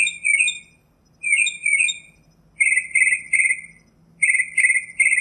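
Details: Northern mockingbird song of short, high buzzy phrases and squeaky trills, each lasting about a second with brief gaps between, over a quiet low hum.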